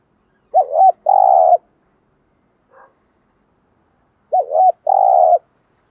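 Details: Spotted dove used as a decoy to attract rival wild birds repeats its phrase twice, roughly four seconds apart. Each phrase is a trembling up-and-down note followed by a prolonged buzzy coo, with one faint short note between them.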